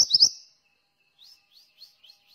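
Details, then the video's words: Mantenan singing actively, kept to train other birds: a loud burst of high, sharp chirps followed by faint, thin, high-pitched notes spaced about every quarter second. "suara burung mantenan gacor"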